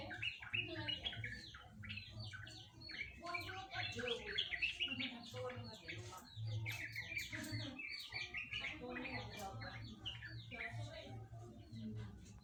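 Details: Long rambling ngeropel song of a yellow-vented bulbul, said to resemble a straw-headed bulbul: dense run of varied chirps, slurred whistles and warbles with brief gaps, a low background hum throughout.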